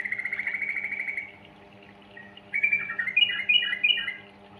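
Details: Yellow-vented bulbul, used to lure young birds into song: a fast buzzy trill for over a second, a short pause, then loud slurred whistled phrases rising and dipping, over a faint steady hum.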